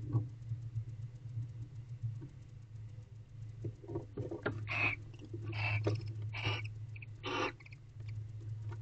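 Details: Barn owl in a nest box, recorded on 22 November 2023 at about 5:59 pm. Several harsh, breathy, hissing screech bursts, about four in the second half, over a steady low rumble and scuffling sounds.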